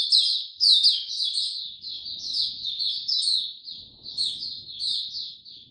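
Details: Oriental white-eye kept in a cage, singing slow and easy on 2 May 2022. A continuous high, thin warbling stream of slurred chirps, loud at the start and gradually softening, over a faint low hum.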